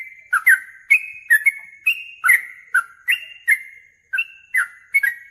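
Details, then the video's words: A yellow-vented bulbul in vigorous song, provoked into aggressive replies to a rival, delivers bubbly two-note whistled phrases, some stepping up, some dropping, roughly every half second, with crisp high clicks and a brief pause near the end. "trucukan gacor MENCARI LAWAN TARUNG ini MENJADIKAN burung trucuk gacor NYAUT EMOSI"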